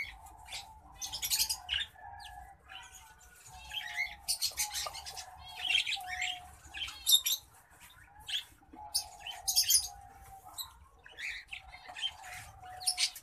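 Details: Green singing finch × black-throated canary hybrid delivers phrases of rapid chirps and rasping, buzzy notes separated by short pauses, while a faint steady hum sits underneath.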